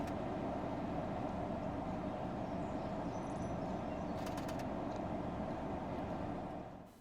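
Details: Steady low rumble of passing road traffic, with a few faint clicks and no animal voices.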